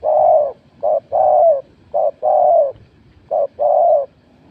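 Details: Spotted dove cooing during a scored contest: three phrases, each a brief soft note followed by a longer sustained coo, with a steady low pitch and brief pauses between phrases.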